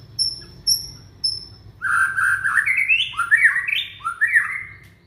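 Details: Young white-rumped shama from Indonesia used to prompt silent shamas to sing: three thin high whistles, then a loud run of rising slurred whistled phrases with high chatter above.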